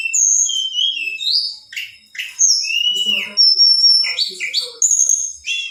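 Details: A female Black-winged flycatcher-shrike sings to provoke males. Clear whistled notes glide down and level off, with chirpy bursts between them, in lively separated phrases.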